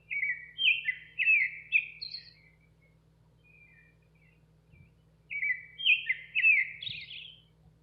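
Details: Song of a nightingale outside a kitchen window: two rich phrases of fast, varied chirps, trills and whistles separated by about three seconds of near silence with a soft faint note, over low steady hum.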